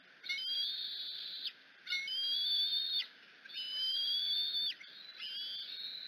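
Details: Bald eagle eaglet at the Decorah nest screeching as its mother arrives, excited by the expected fish; four long, thin whistled screeches, each held about a second with a slight rise, repeated roughly every 1.7 seconds, with a steady background hiss.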